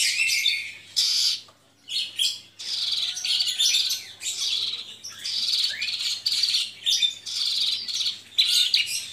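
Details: Kept Javan bush lark of the mottled blorok variety, singing vigorously: dense, high-pitched stream of varied chirps, trills and rasping notes in bursts, broken by short pauses.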